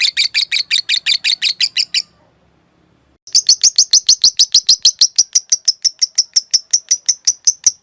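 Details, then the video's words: A caged-bird training trill from a lovebird, the long 'ngekek' style: two seconds of harsh, rapid chirps, a short silence, then a steady, piercing chatter repeated about three times a second. "Masteran Suara Burung Lovebrid Ngetik Ngekek Panjang"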